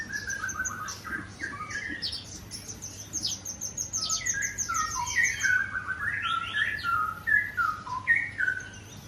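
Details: White-rumped shama singing in the morning at a bird breeding farm in Bogor, with varied whistled phrases, falling note series and rich warbles over steady background hum.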